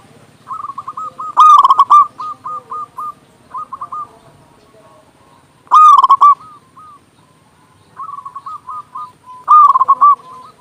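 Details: Local zebra dove with a big voice, a tutor song to lure doves and rouse quiet birds. Rolling series of short coos repeated at an even pitch, broken by three loud rough bursts several seconds apart, with faint doves overlapping.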